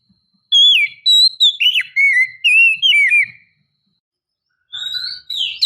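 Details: Female Oriental magpie-robin calling to provoke males: a series of about eight loud, clear whistled notes, each sliding down or curling, followed after a pause by softer rising whistles.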